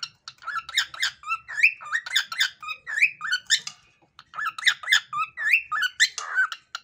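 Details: Pet male cockatiel whistles the learned tune "Peekaboo" in quick, bright, bouncing notes with rising and falling slurs.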